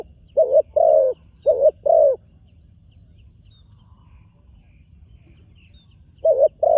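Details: Young spotted dove in training, making its first appearance on a dirt competition ground, giving low, mellow coos in pairs: two double phrases early on, a pause of several seconds, then another pair, over a faint low background hum.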